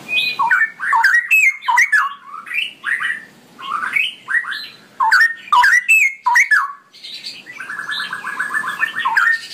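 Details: Straw-headed bulbul delivering long ropelan song: loud, liquid, bubbling warbles in a string of short bursts about every half second, followed by a rapid run of even repeated notes.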